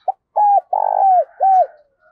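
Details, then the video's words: Spotted dove used as a lure bird, calling: a short clipped note, then a clear cooing note, a long rolling purr-like coo and a final falling coo, all mid-pitched and loud against silence. "tiếng chim cu gáy mồi gáy gọi"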